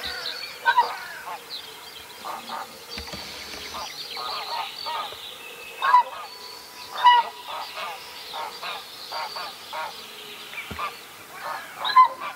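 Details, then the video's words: Odd-sounding whooper swan at Vilkkilänturta in Virolahti, seen on several trips drinking water nonstop as if clearing something irritating from its throat; a long run of hoarse, harmonic honks, some single and some in quick pairs, over steady background noise. "Laulujoutsenen kipeä kurkku"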